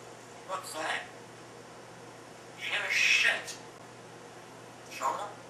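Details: Female African grey parrot in her cage, practising words alone while the owner is away: three muffled speech-like bursts, the middle one longest and loudest, over a constant low hum.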